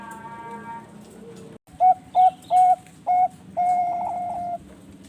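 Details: Bangkok zebra dove, farm-bred in Bekasi, West Java, Indonesia, singing manggung gacor: four crisp short coos spaced about a third of a second apart, ending in a long sustained coo, with faint other cooing before it.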